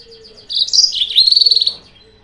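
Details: Yellow-fronted canary song used as a lure to provoke rival birds: after a quiet start, a short bright warble of high whistled notes rises and dips, ending in a fast rattling trill of repeated notes about a second long.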